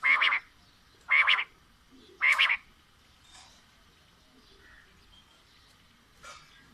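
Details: Quail, female and male calling: three loud, harsh, buzzy bursts about a second apart, then a long pause and a fainter burst, over a steady hiss.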